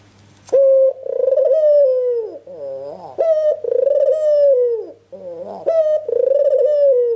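A ringneck dove gives three drawn-out, rolling coos, each about one and a half seconds long, over a faint steady low hum.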